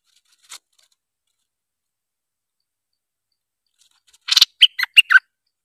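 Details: A streak-eared bulbul, used as a lure call, gives a quick burst of five or six sharp, chattering notes near the end, after a single faint tick and long quiet.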